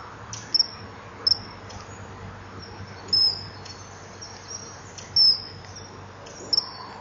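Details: Male common kingfisher at a breeding-wall nest tunnel on 23 July 2015 at 20:44, fending off a juvenile begging for fish, then stretching up and calling. Thin, high, piercing whistles, about six short notes spaced irregularly over seven seconds, over a low background hum.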